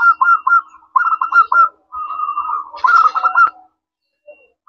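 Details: Zebra dove of local stock singing vigorously as a lure for other doves: bursts of quick, bubbling coo notes in short runs, a smoother rolling phrase between them, then a brief quiet gap and a soft final note.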